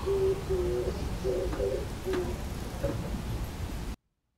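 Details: Oriental turtle dove singing from a neighbourhood antenna near a backyard in Japan, recorded from a second-floor balcony on 10 April 2022 during the breeding season; low, soft cooing notes in a short repeated phrase, with faint background noise.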